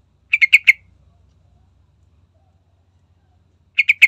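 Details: Sooty-headed bulbul (trucukan) sound used as a lure to prompt singing: four rapid rasping notes, about three seconds of quiet, then another burst of four.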